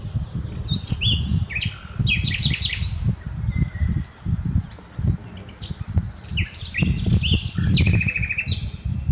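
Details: Unedited song of a common nightingale, varied strophes of buzzy trills, quick repeated notes and whistles separated by short pauses, with constant low rumble underneath.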